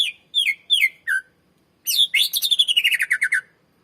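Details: Greater green leafbird, a strong master singer used to lure and train other birds: four separate descending whistled notes, then a fast rattling run of pulsed notes gliding steadily downward in pitch.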